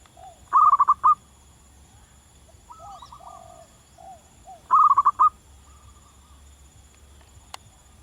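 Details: Local zebra dove singing vigorously in the wild, giving two loud, fast, bubbling coo phrases four seconds apart, with quieter, lower cooing notes and distant phrases between them.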